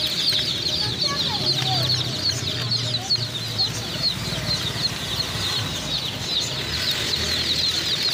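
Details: Newly purchased chicks give a constant stream of high, thin, falling peeps, many birds calling at once, over a low humming background with occasional deeper murmurs.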